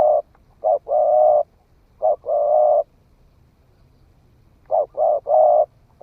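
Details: Young spotted dove newly starting to call, tested in the forest, giving low mellow coos: a brief note or two then a drawn-out coo, phrases separated by pauses, faint low rumble behind.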